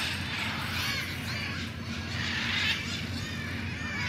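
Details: Macaws at Colinas del Bosque, Puerto Rico, give harsh, raspy squawks that overlap almost continuously, like a small flock calling, over a steady low rumble of background noise.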